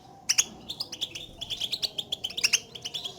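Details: European goldfinch contact calls, known locally as betbeta, made to call to one another and signal presence, used to stir a silent caged goldfinch into song: bright, high chirps and twittering notes repeated rapidly in clustered bursts.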